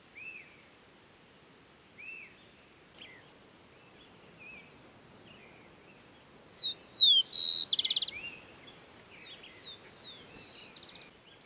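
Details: Rufous-collared Sparrow (Zonotrichia capensis) singing in a woodland meadow at Isla Teja, Valdivia, Chile, on a January summer day: clear, slurred descending whistles then a brief buzzy trill, with softer whistled notes before and after, over a quiet rural background.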